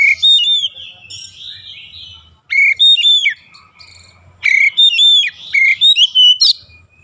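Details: Oriental magpie-robin song, used in daily training for a long rolling song. Loud, pure whistled phrases come in three bursts, each a cluster of sharp upslurred and level notes with clear gaps between.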